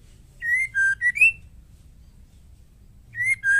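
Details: Female white-rumped shama singing to provoke males into song: two short phrases of clear whistled notes, each a rising note followed by a lower steady one and a quick upward slur, separated by a pause; quiet background.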